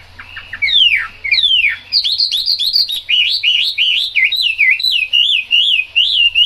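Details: Chinese hwamei singing in the rain, starting with downslurred whistles and a short trill, then a long run of rolling, looping high whistles repeated in rhythmic phrases, with a low hum beneath.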